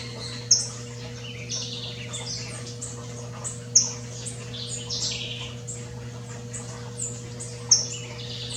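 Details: Saffron finch in the wild, free in nature, giving high chirpy buzzy phrases in short bursts, with loud sharp clicks recurring about every three seconds and a constant low hum behind.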